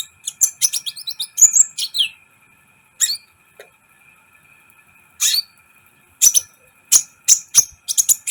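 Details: Sunbird singing in a training recording meant to excite other birds: clusters of high, sharp twittering chips and a brief slurred whistle, broken by quiet gaps of a few seconds, over a faint steady hum.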